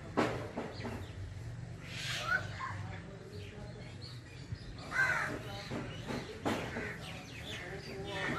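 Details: Rufous treepie singing loudly in the jungle: harsh, rasping bursts at irregular intervals, some with a short bright note, over a steady low rumble with voices mixed in.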